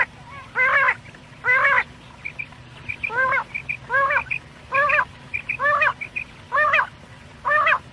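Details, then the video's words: Quail calls for night: a regular string of buzzy, downward-slurred notes roughly every 0.8 seconds, with faint high pips between them. "quail sounds/ batair ki boli | Batair ki Awaz rat k lia"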